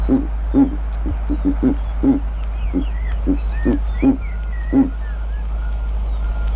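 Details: Giant eagle-owl recorded in Kruger National Park gives evenly spaced, low grunting hoots, about one every half second, with a quicker cluster near the start. Distant birds whistle and chirp.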